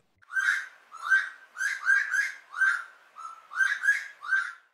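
A Slaty-breasted Wood Rail gives loud, harsh, rhythmic notes in a tumbling, repeated series.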